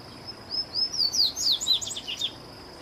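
A Bahia seedeater sings a quick two-second run of high, sweet, slurred notes that rise and fall, over a steady thin high hum.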